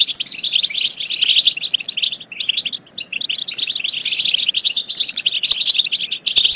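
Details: Goldfinch chatter intended to get goldfinches singing and mating. Fast, liquid twittering with buzzy trills runs almost without a break, softening briefly near the middle and near the end before returning strongly.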